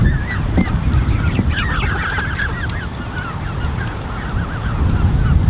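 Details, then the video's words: Canada goose creche of about 34 goslings gathered by two adults, recorded 13 June 2015: a dense chorus of short, high, arched peeps overlapping rapidly, with steady low rumbling background noise. "Peeping Canada Goose Creche (An Army of 30+ Goslings)"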